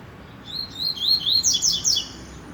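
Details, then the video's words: Rusty-collared seedeater giving trovão-style song: a rising sequence of slurred whistles that speeds into a dense, bright flourish of sweeping high notes, ending abruptly, with quiet background. "Coleiro - trovão"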